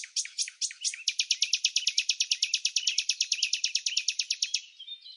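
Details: In Samsonvale, Australia, red-backed fairy-wrens interact during the non-breeding season; a few sharp notes open a long, strongly rhythmic reel of loud high ticking notes, about eight per second, fading at the end.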